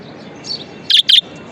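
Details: Pet budgie uttering two crisp, high chirps back to back near the end, after a faint twitter, against a low hiss.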